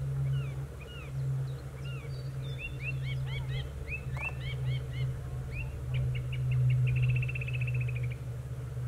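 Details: Song thrush song of varied short whistled phrases and sharp notes, ending in a rapid, even trill of repeated clipped notes, heard over a constant low droning hum.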